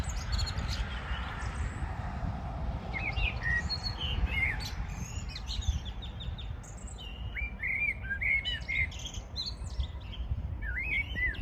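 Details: Morning birdsong on 14 June 2022. Several birds chirp and twitter with quick, high, rising and falling notes over a strong, steady low rumble.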